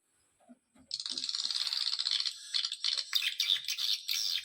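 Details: Swiftlet lure call of the Dara Nante style, played to attract swiftlets; after a short quiet start, dense high-pitched rattling chatter runs in fast buzzy bursts.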